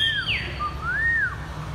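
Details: A caged Chinese hwamei set on the ground sings a "bottleneck"-style song of clear whistled notes: a high falling slur, then a slower arched whistle that rises and drops away, over a low steady hum.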